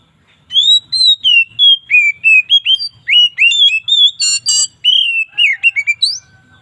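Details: Oriental magpie-robin, its loud relaxed 'ngeplong' song variations in the afternoon: a run of clear whistled notes, each slurring down, delivered about three per second, with a brief harsh buzzy burst near the end and a rising whistle.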